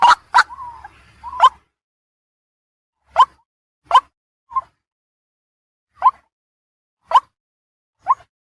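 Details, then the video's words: Night lure sounds of a white-breasted waterhen: a few quick barking notes and a short wavering croak, then single clipped notes spaced irregularly about a second apart against silence. "Suara Pikat Ruak MALAM Ampuh | waterhen sound | night bird sound"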